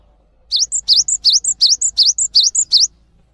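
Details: Cinereous tit, kept as a song tutor for other birds, repeats a bright two-note motif about seven times, a V-shaped swooping whistle with a clipped high note, steady and fast, over quiet surroundings.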